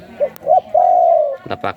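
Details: Sai khu ang style song from a young captive spotted dove in Thailand. Two brief soft coos lead into one long, level, sustained coo. Sharp claps or clicks follow at the end.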